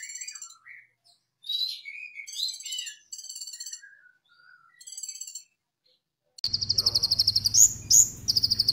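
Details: Brown-throated sunbird 'tembakan' song, played as a lure so other sunbirds start singing. Short high chattering phrases with dropping whistles give way to a loud, rapid, buzzy trill of high notes with two sharp upslurs.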